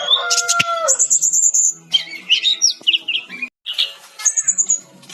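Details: Brown-chested jungle flycatcher singing actively for a songbird training recording: a fast, varied run of high chirps, sharp slurred whistles and short trills, with a brief pause near the middle before a long high whistled note.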